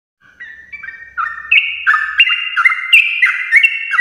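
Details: Sooty-headed bulbul giving a long ropel song in the morning, used to stimulate other bulbuls to sing along; clear whistled notes stepping up and down in overlapping layers, starting soft and growing louder, with a faint low rumble early on.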